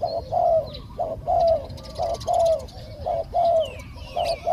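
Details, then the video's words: Spotted dove calling as a decoy to draw down a wild bird for capture: steady run of low, hollow two-part coos repeated roughly every second, with faint chirping of other birds overhead. "เสียงนกเขาใหญ่ ต่อสด ต่อ นกเขาใหญ่"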